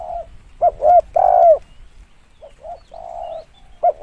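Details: Lure call of a spotted dove: two short notes and a loud, long, falling coo, followed by a softer series of brief and drawn-out low coos and one more short note.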